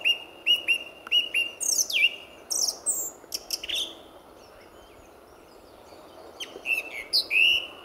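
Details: Song thrush singing in early morning before sunrise, February, at RSPB Fowlmere nature reserve: repeated whistled phrases, a note given twice, sweeping downward notes and high chips, with steady background hum.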